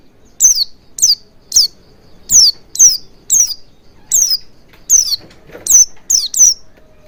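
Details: Lure recording of Oriental white-eye meant to make a bird start singing wild-style: about a dozen thin, piercing chirps, each sliding steeply downward, in an uneven rapid series.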